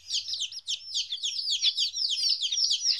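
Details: A group of 14-day-old chicks separated from their mother peep constantly, high thin downward chirps crowding together, a soft low hum in the background.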